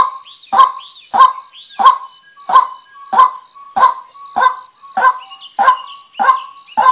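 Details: Female white-breasted waterhen calling, a harsh honking note repeated steadily about every 0.6 seconds, with fainter higher squeaky notes between some calls and a constant high hiss behind.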